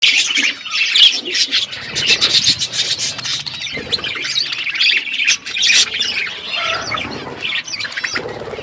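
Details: Pet budgerigars on a winter morning, a flock chattering at once: dense warbled chirps and scratchy squawks packed between high notes, running continuously with no pauses.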